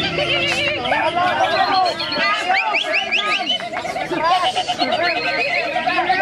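A greater green leafbird pours out a fast, unbroken jumble of sweet whistles, chirps and rising and falling slurs, with other chattering birds blending in.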